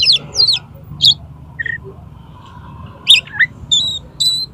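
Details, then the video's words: Oriental magpie-robin singing in the erratic 'konslet' style, used to provoke another magpie-robin into opening its tail: scattered high whistled and twisting notes with pauses between them, over a low steady background hum. "CUKUP 3 MENIT BIKIN KACER MAU BUKA EKOR PAKAI SUARA KACER KONSLET INI"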